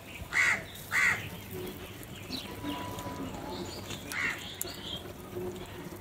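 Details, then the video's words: Crows in a squabble over food; two loud harsh caws in quick succession open the clip, then a quieter caw later, over a low steady background murmur. "Crow Fight Video | crow love food | crow fighting scenes video | crow sounds naturally"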